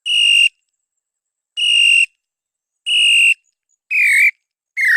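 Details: Female small-billed tinamou in northeastern Brazil answering after being provoked: five loud, pure whistles, each about half a second long and spaced roughly every 1.2 seconds. The last two slur downward.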